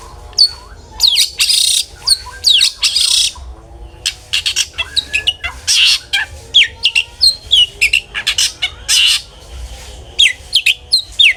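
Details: Long-tailed shrike singing in 'ngeplong' style, used to coax other shrikes into singing: a varied run of rasping broadband bursts, quick high chips and slurred whistles, busy and uneven throughout.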